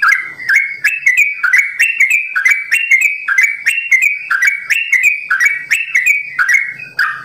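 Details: Sooty-headed bulbul delivering a long rapid 'ropel' song with 'simbar jati' variations: fast, tightly packed whistled phrases in a bouncing, repetitive pattern, clear and loud.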